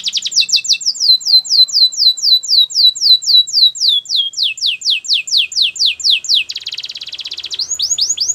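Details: Belgian canary singing for training, a long run of quick, regular, high descending whistled notes, about four per second, with a short buzzy trill near the end.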